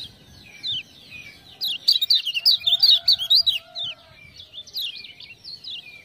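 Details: Kecial kuning (Lemon-bellied white-eye), Lombok, sings eagerly after 'ciak-ciak' prompting sounds. A loud, rapid string of high warbled notes fills the middle, with rattling clicks over it. Softer chirps come before and after.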